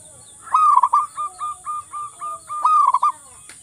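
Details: Zebra dove, a local wild bird, singing to prompt other doves to call: a rattling opening burst, then a steady string of short, even coos ending in another quick burst, over a faint high hiss.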